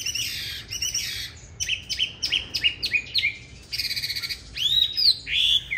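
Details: Competitive fighting song of a green-bean-eye Chinese hwamei, used to teach others a gentle song; buzzy bursts alternate with repeated upslurred whistles, a quick chattering run follows, and arching clear whistles end it.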